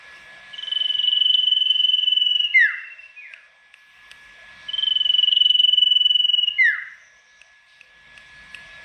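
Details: Tame golden-bellied gerygone (Gerygone sulphurea) singing loudly, used to provoke rival gerygones into answering: two long, high, buzzy trills, each sliding slightly lower and ending in a quick downward whistle, about four seconds apart.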